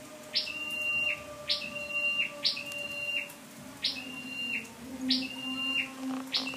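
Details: Scarlet-backed flowerpecker kept as a lure, 12/10/14: seven quick phrases of a high upswept note, a held level whistle and a falling tail, repeated at uneven intervals over faint background hum.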